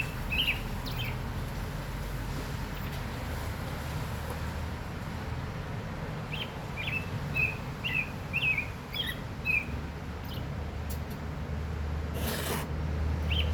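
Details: An oriole sings a loose series of short fluty whistles, bunched in the middle, with persistent low environmental rumble and a brief burst of broadband noise toward the end.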